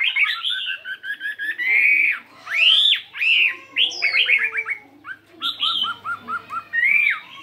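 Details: Morning voice practice by a 72-gram caged fighting Chinese hwamei: varied phrases mixing quick repeated notes, loud upward-swooping whistles and rapid trills, with a faint background hum.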